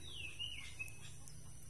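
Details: Birds chirp a quick descending whistled phrase with a few brief high notes over a steady low rumble, among durian and coffee trees in a remote rural village in Jambu, Semarang, Central Java, Indonesia.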